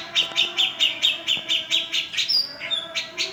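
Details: Brief burst of cica jenggot song, presented as a prompt for silent birds: regular high chirps about twice a second, ending in a thin rising whistle and quicker notes.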